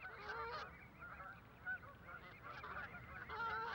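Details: Several Canada geese in a London park, adults guarding chicks in a communal crèche and aggressively seeing off others, honk over one another in loud, nasal, overlapping bursts over a soft background rumble.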